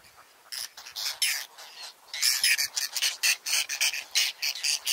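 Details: Whiskered tern colony on floating lotus and water chestnut beds, Astrakhan State Nature Reserve, Russia, July 2017, birds rebuilding nests; hoarse, rasping calls start softly, then build into a rapid, busy stream of overlapping cries.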